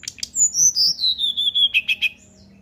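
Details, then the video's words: Sunda forktail singing in the flute-like 'nyuling' style, used to coax other birds into singing. High piercing whistles slide steadily downward in a long even series of about ten notes, ending in three clipped lower notes. "Srdc nyuling buka paruh untuk pancing SRDC lain ikut bunyi ampuh"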